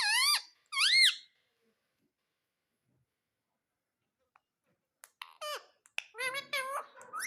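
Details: A pet rose-ringed (ringneck) parakeet indoors gives two loud, rising-falling squawks, then after a pause a burst of shorter, chattering squeaks and slurred notes in a small room.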